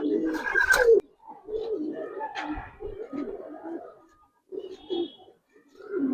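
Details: Budapest highflyer pigeons in a loft give deep, gurgling coos in several short phrases with pauses, plus a brief louder scuffle at the start, recorded indoors.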